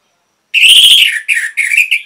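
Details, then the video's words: An orange-headed thrush phrase meant to stimulate caged birds to sing. After a short silence comes one long, loud, rich, slightly harsh note, followed by three shorter bursts of the same tone. "MASTERAN & PANCINGAN ANIS MERAH GACOR"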